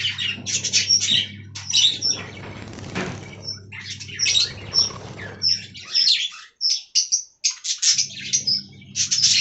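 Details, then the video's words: Budgerigar colony in an aviary, bursts of high chirps and short whistled notes separated by brief gaps, with wing flapping near the start and a low background hum. "Budgie Talking Compilation"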